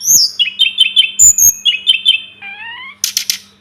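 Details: Sunda robin song for tutoring: repeated bright triplet-like whistled phrases, then three rising slurred whistles, ending in a harsh buzzy burst, over a faint low hum.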